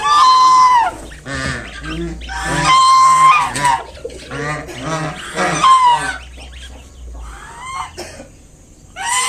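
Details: Swan mother warning off a person approaching her five fresh cygnets: strong honks with a bright ringing tone, then softer scattered calls tailing off into quiet.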